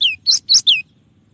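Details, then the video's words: Cinereous tit (gelatik batu) with clear-voiced song variations, offered as a tutor recording: four quick high notes, two sharply downslurred whistles framing two bright chips, then quiet with a faint low hum. "suara burung gelatik batu dengan variasi tembakan banyak yang nyari"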